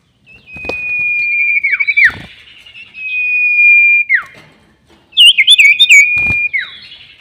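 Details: Sirtu bird lure call for trapping: two sustained level whistles, each dropping at the end in a falling slur, followed by a burst of quick twittering chirps over a final whistle.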